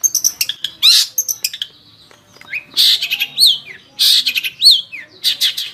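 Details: Long-tailed shrike giving a jumbled medley of harsh rasping bursts and high, rising-then-falling whistled notes, phrases separated by short pauses.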